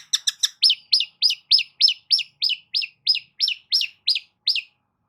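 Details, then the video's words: Long-tailed shrike singing, used to lure a silent shrike into song: three quick scratchy notes, then a steady string of arched, slurred chips repeated about three times a second, clean background. "CENDET MACET COBA PANCING DENGAR KICAU EFEKTIF"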